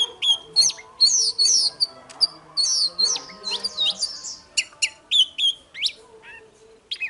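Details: Oriental magpie-robin morning song for provoking rivals: long sequence of crisp whistles, clicks and trills in lively varied phrases, with faint low murmurs behind.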